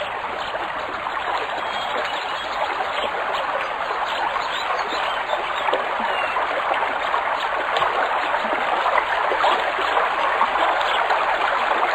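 Steady rushing water like a flowing stream fills the recording, with no animal calls heard.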